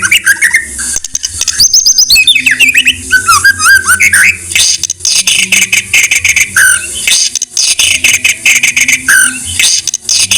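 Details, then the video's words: Murai batu, or white-rumped shama, masteran song: rich fluting whistles and quick tumbling phrases early on, later blurred by harsh hissy noise with short whistled notes breaking through. "Masteran MURAI BATU"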